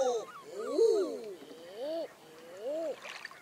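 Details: Common eider calling: a series of arched, moaning coos that rise and fall, with overlapping callers, the loudest near the start and more spaced coos following.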